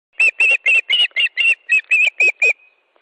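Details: Osprey at a nest in Estonia on 13 July 2013 at 17:58, during a fish delivery: eleven sharp, clipped chirps at about four per second, evenly spaced, then silence.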